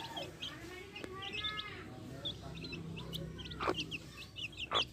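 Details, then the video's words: Backyard hens with chicks: a low, drawn-out hen call opens, then high chick peeps scatter through, with a few sharp knocks and clicks near the end. "Adorable backyard hens with chicks making adorable sounds!"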